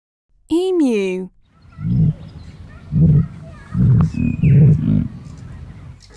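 An emu gives a run of five deep, low booming thuds, each under a second long, following a voice saying the bird's name.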